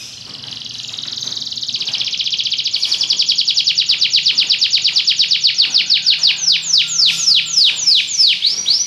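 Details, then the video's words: Belgian canary song: a long, buzzy, rapid high trill building in volume, then breaking into slower, distinct, downward-swooping whistled notes repeated about twice per second. "espetacular canto canário belga"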